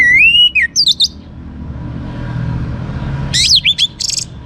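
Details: Young, vocal orange-headed thrush song used as a lure to make other birds sing: a long rising-falling whistle with chips, a quiet gap, then a burst of fast, high, jumbled notes.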